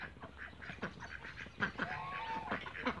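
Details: Cayuga ducks kept in a backyard flock, giving short harsh broadband quacks in irregular bursts, several birds calling over one another, with a faint tonal whistle and low background hum.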